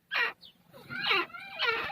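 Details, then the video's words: Female grey francolin, a teetar from Taunsa, Pakistan, uttering wailing, harmonic-rich squealing notes, one short then two longer drawn-out cries with falling tails. "gray francoline teetar sound | female teetar awaz"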